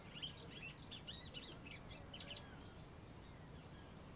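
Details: Song of a white-throated seedeater, known locally as golinho: a fast, faint string of thin high chirps lasting about two seconds, then only steady background hiss and a constant high whine.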